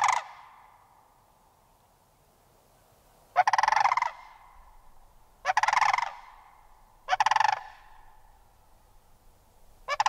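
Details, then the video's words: Sandhill crane giving loud rolling, bugling rattles in separate bursts roughly every two seconds, each about half a second long and rapidly pulsed, with quiet gaps between. "Sandhill Crane Vocalizations"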